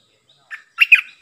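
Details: Streak-eared bulbul, a caged decoy bird used to lure wild birds and to train young birds: one short burst of bubbly, chattering notes, a single note first and then a quick cluster, in quiet surroundings.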